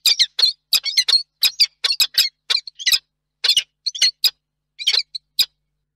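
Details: Peregrine falcons courting at their nest site in Reda on 19 March 2024: a burst of short, harsh, chipping notes, repeated rapidly in uneven clusters, with brief silent gaps between them.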